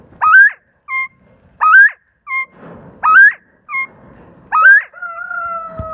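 Northern Bobwhite giving a clear whistled two-part call, a slurred rising note then a short level note, four times about every second and a half.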